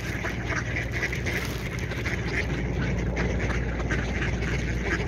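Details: Ducks quacking in rapid, uneven bursts over a steady low rumble that fills the whole stretch.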